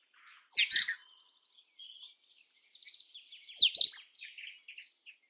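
An Indian robin sings two loud, bright bursts of sweet whistled notes about three seconds apart, joined by softer twittering phrases in between.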